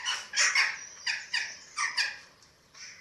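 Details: Eurasian eagle-owls at a nest in Germany, 27 March 2024, while chicks are being fed. Four or five loud, harsh, hoarse bursts about half a second apart, the first pair strongest, then a softer final note.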